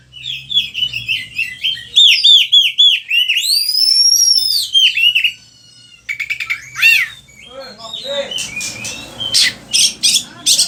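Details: Kacer (oriental magpie-robin) lure song for teaching other birds: repeated whistled downslurs, a long arched high whistle, rapid trills, then a noisy stretch of harsh rasping bursts.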